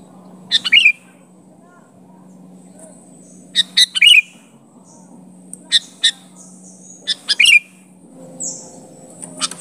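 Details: Sooty-headed bulbul calling against a rival: sparse chirped phrases with a falling slur, separated by pauses of two to three seconds, over a soft low hum and light background noise.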